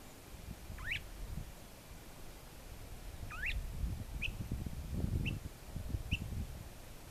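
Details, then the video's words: Northern mockingbird in Kimble County, Texas, 26 November 2014: five brief upward-sweeping notes spaced about a second apart, the first two longer, under heavy low rumbling wind noise. "Northern Mockingbird Calling in Kimble County Texas"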